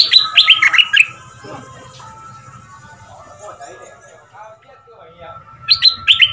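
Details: Caged red-whiskered bulbul decoy from southern Thailand, two months in the cage, singing a fierce double-style song meant for young birds to copy: a quick burst of bright, warbled notes opening the clip, a quiet gap, then another short phrase at the end.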